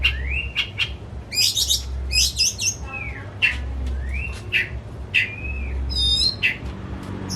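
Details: White-rumped shama kept at home for hobby, singing to provoke another shama: repeated rising whistled phrases, bursts of dry rattling chatter and sharp ticks, with a faint low hum.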